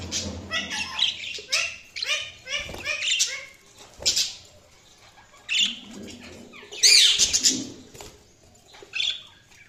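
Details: Budgies chattering in a dense run of short, scratchy chirps and clicks, with brief pauses and a shrill high note near the end.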